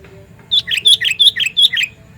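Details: Sooty-headed bulbul giving a loud, ringing lure call used to attract other bulbuls: a quick run of about six bubbly, warbling notes, alternating higher and lower, spread over just over a second, with a faint low hum behind.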